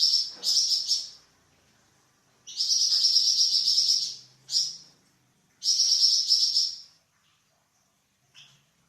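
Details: Flamboyan bird, a songbird kept for training cucak ijo and magpie robin, gives high, buzzy trilled bursts of about one second and longer. The phrases are separated by short silences, and one brief faint note comes near the end.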